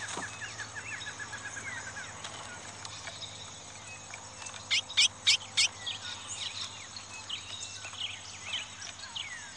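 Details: Chestnut-bellied seed finch song duel between rival males, one a black male: rapid, high whistled phrases traded back and forth with a few loud, bright bursts near the middle, over steady hiss and faint background chatter.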